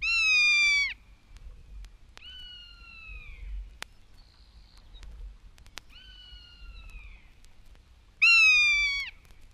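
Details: American Rough-legged Hawk from a 1961 guide to eastern and central North American bird songs, giving four drawn-out, downslurred mewing screams: two loud, harsh ones opening and closing, two softer, thinner whistles between.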